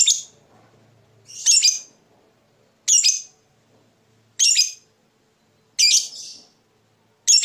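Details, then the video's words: Fighter lovebird from Indonesia giving harsh, high, scratchy squawks repeated about every 1.4 seconds, each short and noisy. "Lovebird Fighter ngetik ngekek panjang - Bikin musuh ikut bunyi"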